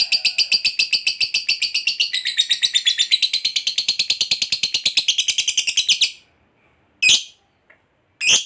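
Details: Lovebird in long ngekek chatter calling companions: a fast, even stream of harsh high notes lasting about six seconds, then silence broken by two single loud shrieks.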